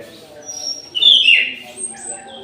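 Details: An orange-headed thrush singing actively in an aviary at midday gives one loud, rich, slurred warble with a thin high whistle before it, over a low continuous hum.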